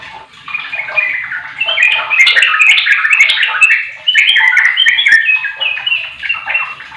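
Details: Sooty-headed bulbul song played as a lure so a silent bird will reply: sustained, lively warbling made of quick, tumbling, liquid notes, loud and almost unbroken for seven seconds.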